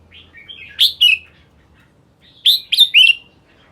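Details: Red-whiskered bulbul giving two short songs: soft warbling leading into loud, clear, upslurred whistles and rolling descending notes, a pause of over a second between them; background otherwise quiet.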